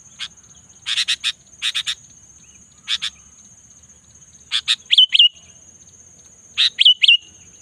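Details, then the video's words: Sooty-headed bulbul singing in the afternoon: bursts of short, bright chirped notes, some paired, ending in quick two-note slurred phrases that drop and flatten, spaced over several seconds, over a steady high-pitched whine. "suara burung kutilang"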